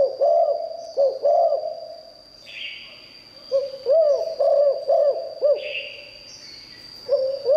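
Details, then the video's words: 'Liu tan' style song of a spotted dove known for its fine voice: rolling low coo phrases, a pause with a soft hissy sound, then a run of four quick coos and a longer note, steady high whine throughout. "เสียงนกเขาใหญ่หลิ่วตัน คารมดี"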